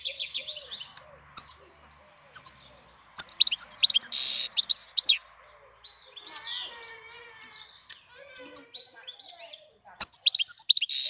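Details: European goldfinch singing in April: bursts of fast, high twittering chirps broken by short silences, with harsh buzzy notes and a quieter warbled passage midway.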